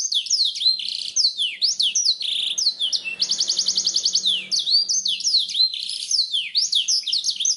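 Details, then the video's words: A black-throated canary sings a long, unbroken, high medley of sweet whistles, falling slurs and chirps, broken midway by a fast, even, buzzy trill. "suara blackthroat"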